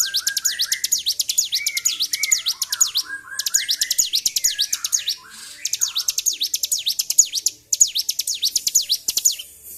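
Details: Continuous 'ngedur' song of an excited bar-winged prinia, 26 February 2023: long bursts of rapid high V-shaped chirps, broken by brief pauses, with lower warbled notes mixed in early on.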